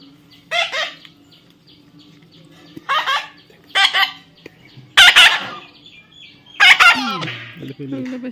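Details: A baby parrot in the middle of being tamed utters five harsh screechy squawks at uneven intervals, the last followed by a lower, falling drawn-out sound.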